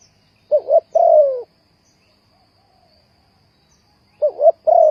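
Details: Spotted dove lure call used for trapping birds: one phrase of two short coos and a long descending coo, then about three seconds of silence before the same pattern begins again.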